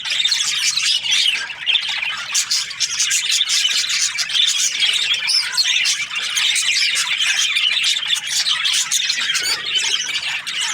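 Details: Budgerigars, breeding pairs, chirping as a dense flock: continuous overlapping high chattering, squawks and warbles with no pauses, many birds calling at once.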